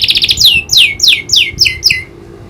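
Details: Canary in full song, tutored with the clicking call of a prinia: six loud, quickly descending whistled sweeps in a row, each sliding down sharply, with a softer trailing phrase at the end.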